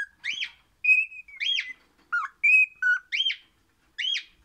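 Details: The orange crimson rosella sings happily in clear whistled notes, some short and arched, others held level. A lower whistle breaks in twice, with about six notes spread over four seconds.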